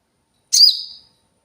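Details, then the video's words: Cililin recorded as training material for cage birds: one clear, high, piercing note that starts sharply and slides downward into a fading tail, set in complete quiet. "cililin jernih.pas buat masteran burung bahan"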